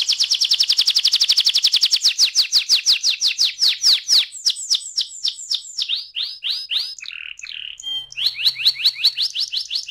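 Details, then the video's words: Rolling ngeroll song of a canary, used to provoke other canaries into song: a long, very rapid trill of crisp notes that slows into separate chirps, pauses briefly with a few mixed notes, then picks back up. "PANCINGAN TERCEPAT dan SUKSES BIKIN KENARI GACOR NGEROLL"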